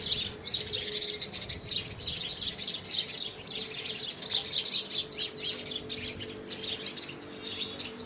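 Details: A squabble among house sparrows for a homemade nest box in the first week of February 2017 fills the air with sharp, repeated high chirps, dense and overlapping, with occasional louder peaks.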